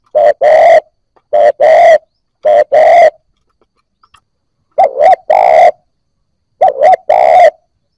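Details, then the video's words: Spotted dove, freshly caught and beginning to coo, serving to encourage new birds: five two-part cooing phrases, some opening with a doubled short note, separated by a brief silent pause midway. "Cu gáy bổi mới nổi gáy / Tiếng cu gáy kích bổi nhanh nổi"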